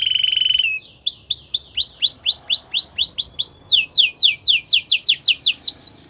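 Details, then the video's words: Gloster canary singing: a short steady buzzy trill, then rapid series of rising whistled syllables repeated several times a second, shifting into faster, higher sweeping notes. "Gloster canary singing"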